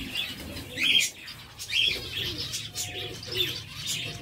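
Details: Captive zebra finches in a breeder's aviary: bursts of high, nasal chirping calls at irregular intervals, about one a second, over a steady low hum, with faint soft cooing underneath.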